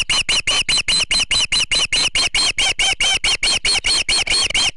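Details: Nesting osprey on a Charlo, Montana bird-cam nest, going after an intruding osprey that comes too close. An unbroken run of about twenty sharp, arching whistled chirps, roughly four per second, steady and insistent.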